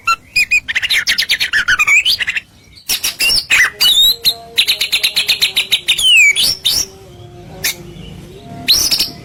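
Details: Masteran song of a white-rumped shama, used to make other birds respond: fast rattling trills and buzzy chatter broken by clear swooping whistles, with a drawn-out descending slur near the middle.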